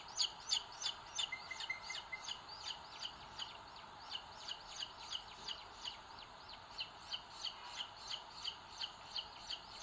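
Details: Booted eagle chicks on a live-camera nest in Sierra de Guadarrama National Park, Spain, 2022, the big chick pecking the small one; a long series of quieter, thin high peeps runs about three per second, louder at first.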